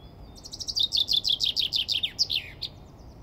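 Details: A male common chaffinch, described as seeking a female to nest with, sings a bright, quickening run of high notes that slides downward and ends in a short flourish within about two seconds.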